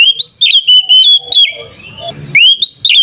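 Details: Oriental magpie-robin (kacer) in provoking 'ngeplong' fighting song: rapid loud whistled notes, rising then steady, a brief softer pause with low rustle, and a fresh upward-sweeping phrase at the end.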